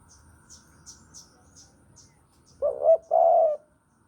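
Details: Javan spotted dove song used as a lure for bird trapping: after faint high chirps from other small birds, one low two-part coo, a wavering first note then a longer steady note, lasting about one second.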